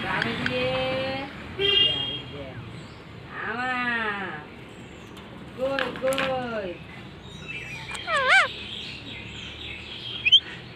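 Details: Talking parrot speaking Bengali: a series of harmonic, voice-like phrases with rising and falling inflections, each lasting about a second and spaced a few seconds apart, plus a few higher warbled notes near the end.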